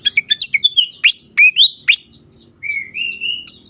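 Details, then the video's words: Fantail, agitated, used to lure and stimulate birds: quick twittering notes lead into strong slurred swoops, then a drawn-out rising whistle trailing off. "sikatan kipas ngamuk sekali dengar"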